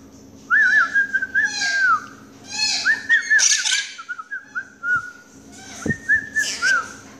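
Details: Quaker parakeet kept as a pet, calling for its owner, "mommy": looping whistled phrases that rise and fall, mixed with harsher squawky bursts and a couple of dull knocks.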